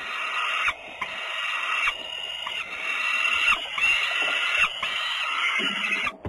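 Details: Peregrine falcons in Włocławek, Poland, on the afternoon of Sunday 6 June 2010: a steady series of loud, harsh, drawn-out wails, each about a second long and separated by short pauses.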